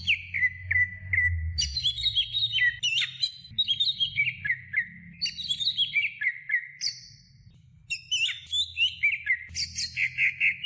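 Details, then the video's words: Greater green leafbird song from a medium-length training recording for caged songbirds: a long, varied string of quick sliding whistles, rising and falling phrases with brief pauses, closing in fast, evenly repeated chirps. "Masteran Cucak Hijau Durasi Sedang"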